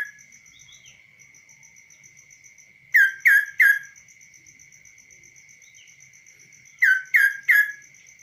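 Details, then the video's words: Hand-reared tame kaso-kaso bird singing out of its cage: two bursts of three loud, harsh descending chirps several seconds apart, against a rapid high pulsing tick and a steady tone. "BURUNG KASO KASO GACOR DI TANGAN TANPA SANGKAR"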